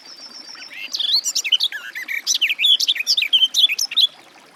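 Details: Garden warbler singing: a fast, rich warbling run of varied whistled and slurred notes, mostly high-pitched, flowing continuously for about three and a half seconds after a faint steady tone at the start.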